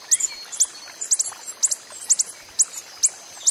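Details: Wild coppery-headed emerald hummingbird calling with piercing, very high chips at roughly half-second intervals, some notes doubled, over a soft background hiss.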